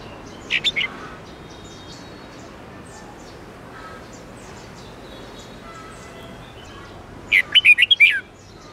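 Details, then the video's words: Red-whiskered bulbul song for teaching caged birds, 8-9-10 note twisting style: a short three-note snatch early, faint chirps in between, then a loud run of about seven fast whistled notes near the end. "Luyện giọng chào mào hót âm 8-9-10 xoắn tít cực hay | dùng luyện chào mào hót theo mỗi ngày"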